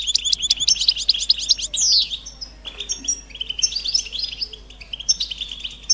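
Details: European goldfinch mating and readiness calls: opens with a rapid run of high, spiky chirps and a loud downward-sweeping whistle, followed by looser, softer twittering phrases.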